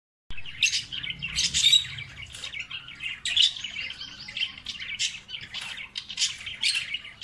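A parrot chatters in quick, high, scratchy chirps and squeaky notes, bursting out several times a second with little pause throughout.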